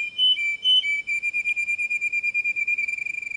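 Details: Canary song for tutoring young birds: two long pure whistled notes, then a trill of short whistled notes that repeat ever faster, clean and clear.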